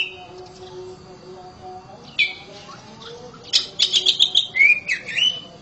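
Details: Domestic oriental magpie-robin with a loud voice: faint whistles over steady low background hum, then a sudden burst of rapid, buzzy, chattering notes and rising and falling whistled slurs.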